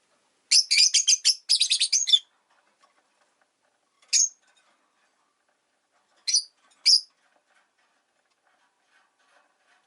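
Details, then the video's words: Caged rosy-faced lovebirds, five kept in a cage by a window, chirping in winter: a dense burst of sharp, high chirps, then single chirps spaced a couple of seconds apart with silence between. "冬とか関係なく良く鳴く子【Lovebird Chirping Sounds"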